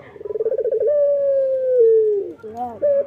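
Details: Male local puter (Barbary dove) singing vigorously in the morning: a rapid pulsed, rolling coo that runs into one long, smooth, slightly falling note. A shorter wavering coo follows at the end.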